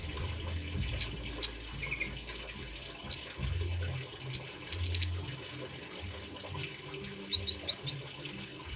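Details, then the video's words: Singing male orange-headed thrush, cabe-cabean and bunga api styles, used as a lure and master tutor. Thin, high chirps and twittering notes repeat in irregular bursts about every half second, with trickling water murmur underneath. "SUARA BURUNG KEMADE // CABE CABEAN, BUNGA API, COCOK BUAT PANCINGAN"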